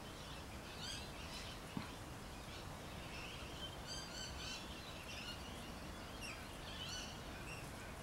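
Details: Rainbow lorikeets in backyard trees in Adelaide city give sharp, chattering screeches in short bursts every second or so, several birds overlapping over a steady low rumble of background noise.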